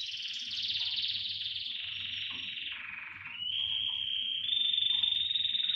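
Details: Singing canaries in a chorus. Sustained rattling trills step downward in pitch, briefly dip lower, then jump back to a bright, steady high trill.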